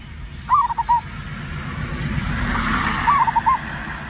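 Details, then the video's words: Zebra dove lure song meant to make other birds sing quickly: two short cooing phrases of quick broken notes, about two and a half seconds apart, over steady hissing noise. "perkutut raja pikat cocok untuk memancing burung cepat bunyi"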